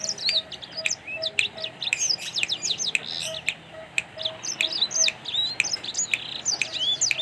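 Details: Energetic black-throated canary song from a bird farm, a steady stream of thin high twitters, quick trills and upslurred whistles running without pause, punctuated by crisp clicks.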